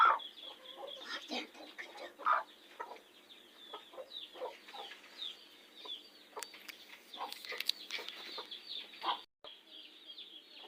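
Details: Broody golden hen in summer, set on eggs and arranging her own nest with feet and beak; soft, low clucks come irregularly, about 27 a minute, over steady high chirping from other birds and a faint hiss.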